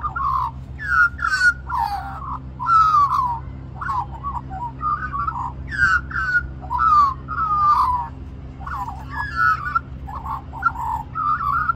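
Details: Magpie singing without pause for more mango at lunchtime, Cirillo Reserve, Middleton Grange, Australia; a continuous rich warble of fluting, rising and falling phrases, each about a second long, over a low steady hum.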